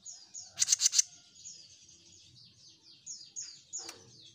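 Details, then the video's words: Jenggot Mini bird singing energetically: a burst of four loud, sharp chirps, then a string of thin, high, downslurred whistles repeated several times a second, with one short clicking note. "JENGGOT MINI GACOR‼️"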